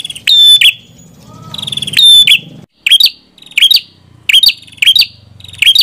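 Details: Red-headed prinia giving two long buzzy phrases with rattling lead-ins, then switching to shorter, quicker chirpy bursts repeated about every half second. Faint low background noise.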